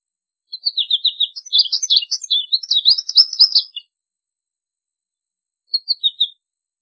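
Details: American goldfinch song: a lively three-second run of rapid twittering and warbled notes, then silence and a short closing phrase of four bright notes.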